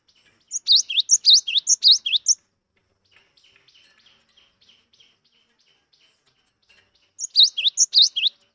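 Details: Cinereous tit, a newly wild-caught bird that sings freely, used to prompt silent birds to sing. Two bursts of rapid, high, sharp repeated phrases, each lasting about two seconds, with faint scattered chirps in the quiet gap between them.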